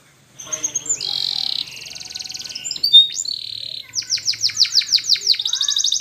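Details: Canary singing for training: a buzzy trill and whistled notes over faint low background hum, then a loud series of rapid downward-sweeping notes and a final trill.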